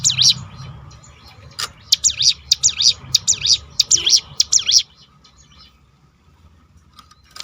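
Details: Crested honeyeater (ciblek gunung) delivering a rolled 'tembakan' volley used to provoke other birds into singing: a fast run of high, sharp, zigzag chirps, about ten in three seconds, then a quiet pause with a low background hum.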